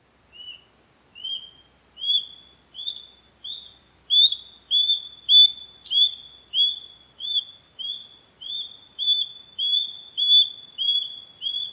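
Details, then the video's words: Osprey recorded in the wild gives a steady series of short, high, whistled chirps, about one every half second, clear against a quiet background. "Osprey Sound – Song & Bird Calls"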